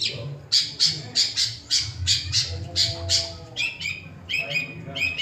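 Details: Long-tailed shrike singing and imitating other birds' songs: a run of harsh, squawky notes repeated about three times a second, then shifting to ringing, stacked phrases with a different rhythm; low background hum throughout.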